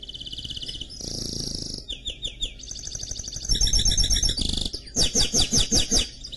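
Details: Canary x goldfinch hybrid (mule) singing a varied song of rapid high trills and buzzy repeated phrases that switch pitch every second or so, over a steady low hum.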